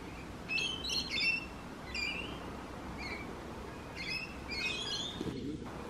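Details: Rainbow lorikeet producing a chattering run of sharp screechy notes, clustered early then spaced out, followed by another quick burst, with steady low background noise.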